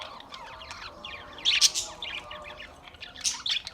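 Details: Short burst of Australian parrot chirping: soft twittering broken by two loud, harsh squawks.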